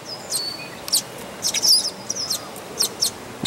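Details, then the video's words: Nestling red-winged blackbirds at Dufferin Islands calling with sharp, very high, thin chirps and short squeaks, scattered irregularly in bursts, against a quiet background. "Red-Winged Blackbird Chicks In Nest"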